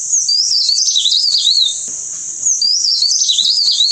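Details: A wren-babbler (genus Spelaeornis) gives high, rapid twittering phrases that wobble up and down, each over a second long, with brief pauses between.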